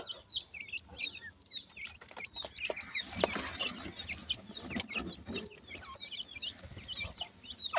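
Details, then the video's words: Several partridge chicks out in a forest give high, thin, cute chirps: short notes overlapping at a quick, busy pace, with rustling and scuffing in the leaf litter midway. "partridge chicks enjoy in the forest,make cute chirping calls"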